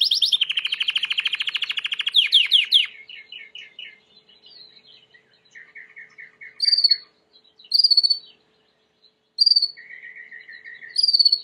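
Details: White Timbrado canary singing for training: a fast rattling trill, then shorter tours of clipped notes, followed by short bright bursts separated by pauses, clean and without background noise.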